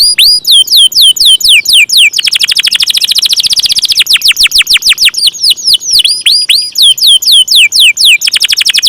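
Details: Canary delivering a long, loud song of swept whistles, switching midway into a very rapid rolling trill, then back to repeated descending whistled notes.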